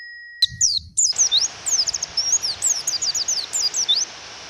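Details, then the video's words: Female Japanese white-eye (pleci) calling to provoke a male to sing: after a brief quiet start, rapid high thin chirps sweep downward, repeated in quick succession over steady rain hiss. "Pleci Suara Memanggil Lawan dan Suara Hujan"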